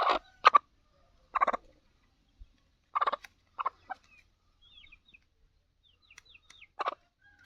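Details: Black francolin (Francolinus francolinus), Sheedi-type kala teetar, gives harsh, grating bursts in short clusters, several loud strident notes spaced irregularly over seven seconds with quiet gaps and faint chirps from other birds.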